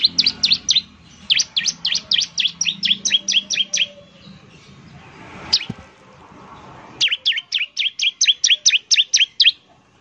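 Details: Bar-winged prinia (ciblek), a semi-active singer used as a lure, giving rapid series of high, sharp down-slurred chirps in two bursts with a pause between, roughly two notes per second.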